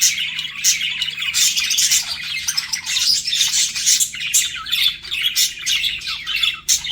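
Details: Pet budgerigars chirping while flirting, a dense continuous warble of rapid scratchy chirps and squeaky notes with short bright whistles, several birds overlapping without pause.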